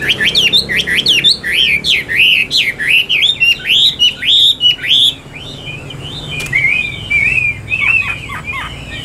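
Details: Caged Chinese hwamei pouring out a fast series of loud, bouncing whistled notes, each swooping up and down, before a brief lull and quieter sliding whistles and chips.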